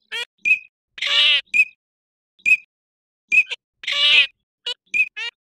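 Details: Eurasian teal giving brief high whistled notes mixed with two longer nasal, buzzy calls with stacked harmonics, the sounds coming in irregular bursts across several seconds.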